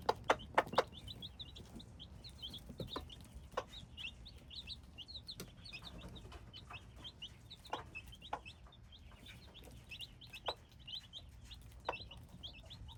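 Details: Hybrid chicks keep up a steady stream of high peeps, about two a second, several birds overlapping, with loud knocking taps at the start and scattered clicks later.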